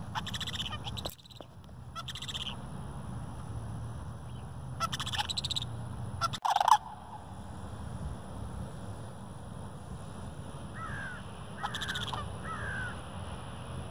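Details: Flock of sandhill cranes, adults with juveniles, gathered in a park; loud rattling bugle bursts at intervals of one to two seconds, then a few softer, higher calls near the end over low ambient rumble.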